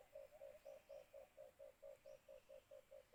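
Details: White-eared brown dove, locally called alimokun, recorded during cage-trap bird hunting: a fast, even string of about thirteen short low hooting notes, roughly four per second, held steady at one pitch throughout.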